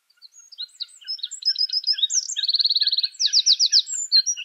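Eurasian Wren pours out a loud, rapid song of high, tinkling notes, broken by two fast, rattling trills, with no other sounds.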